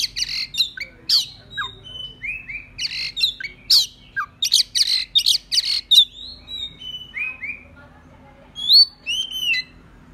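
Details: Oriental magpie-robin song used as a lure to provoke rival birds: a dense run of harsh scratchy notes and sharp chips mixed with sliding whistles, ending in a few clear, looping whistled phrases.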